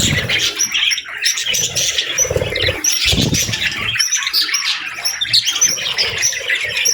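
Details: Budgerigars in the afternoon: a dense, continuous chatter of high chirps, warbles and short whistles from several birds, with soft low thumps and patter beneath.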